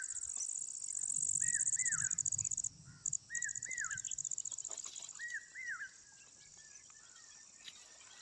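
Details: Asian koel giving three double-note whistled calls, each note rising then dropping, spaced about two seconds apart. A low rumble fills the first seconds, with steady cricket-like buzzing above.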